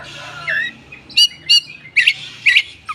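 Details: Oriental magpie-robin song used to lure and rouse untrained birds. A short slurred whistle leads into loud, clipped, chattering notes given in quick pairs, with a faint low hum behind.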